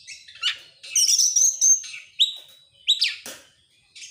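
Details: Oriental magpie-robin singing excitedly with tail spread, persistent rapid-fire style: a sustained high whistle, then sharp upward-sweeping notes and one strong down-slurred note, followed by a short quiet gap.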